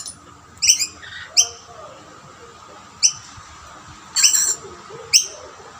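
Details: Rainbow lorikeets around two snack plates, with a dominant male chasing off other birds: scattered sharp, high chirps and a brief rasping burst, separated by quiet gaps over low background hum.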